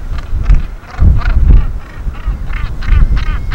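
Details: Harsh, grating Northern Gannet calls from several birds atop Bempton Cliffs in breeding season, repeated roughly twice a second and overlapping, over heavy low wind rumble.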